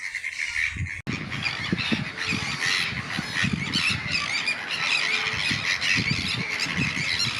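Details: Sandwich Terns nesting on a small fenced-off island in a lagoon, heard from a tern hide on Brownsea Island, England, in April 2025. A busy colony keeps up a constant overlapping chorus of harsh, grating, high squawks, with low thumps and wind noise.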